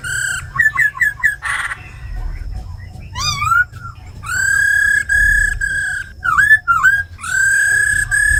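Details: Forest-style song from a tame captive laughingthrush plus a female's ro khẹt calls, used to rouse wild-caught birds. Quick hooked notes and a noisy burst, then long steady whistles interrupted by dipping slurs.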